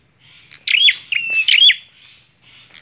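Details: Lively bar-winged prinia song: two or three quick bursts of sharp chirps joined by a level high whistle, then a faint trailing note.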